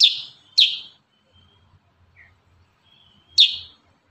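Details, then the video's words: Kurincang firing close, sharp shot notes: two loud, downward-slurred bursts half a second apart, a pause with a soft thin whistle and a faint chip, then one more explosive note. "Masteran burung kurincang tembakan rapat"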